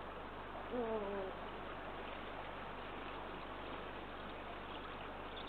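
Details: A male Eurasian eagle-owl at a nest in Estonia, bringing prey to the female, 29 March 2023, gives one short, falling, mewing note early on, then stays quiet under a steady wash of wind-like hiss.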